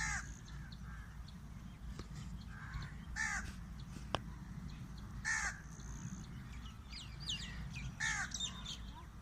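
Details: Crow calling from a date palm: harsh, hoarse caws given singly at irregular intervals, three loud ones spaced about two to three seconds apart plus fainter ones, over a steady low rumble of background noise.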